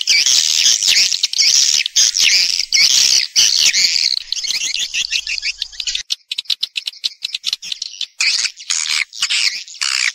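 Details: Swiftlets twittering in a lure sound meant to attract them to nest in a house: long, loud, buzzy chattering bursts, then a stretch of fast clicking chirps and renewed high twitters toward the end.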